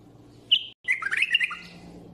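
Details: A bulbul gives a clear opening whistle, pauses briefly, then delivers a rapid, liquid string of warbled notes rising and falling, closing on a short low note.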